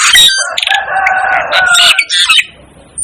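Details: Asian glossy starling, called the 'devil' bird, pouring out a loud blended jumble of squeals, buzzy tones and sharp chips that fades after about two and a half seconds.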